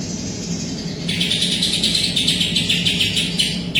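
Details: Greater green leafbird in full vigorous song with kapas tembak material: after a second of hum, fast repeated high, bright chirps run continuously, about three per second, over a constant low background drone.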